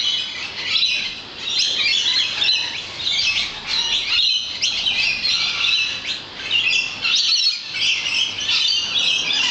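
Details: Lorikeets massed outside a balcony keep up a loud, chaotic chorus of harsh screeches and squeaky chatter, many voices overlapping continuously with brief dips in loudness.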